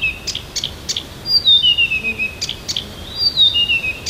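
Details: Morning outside Tomsk, a Siberian songbird delivers rapid sharp clicks followed by a long high whistle gliding downward, the pattern repeated, clear against a quiet background.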